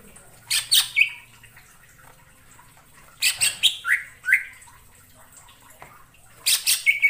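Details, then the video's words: Fairly quiet wild greater green leafbird in forest: three short bursts of harsh scratchy chips each ending in a couple of down-slurred whistles, separated by pauses, with faint low background hum. "suara cucak ijo di alam liar_ijo hutan"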